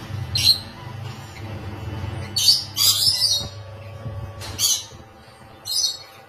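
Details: Rainbow lorikeet in a cage during mating, giving harsh, shrill, high screeches in short bursts, five of them spaced irregularly, over a steady low hum.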